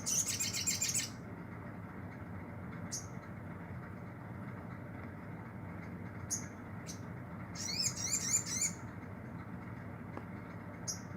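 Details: Captive olive-backed sunbird in training, beginning to sing freely: a short burst of high, rapid twittering, scattered thin high chips, then another quick high trill near the end, over a constant low hum.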